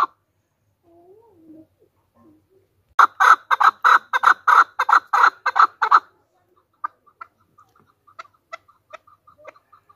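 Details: Chukar partridge, Pakistan's national bird, described as a hunter chukar: after three quiet seconds a loud burst of rapid, harsh chuck notes runs for about three seconds, then thins to scattered faint clicks.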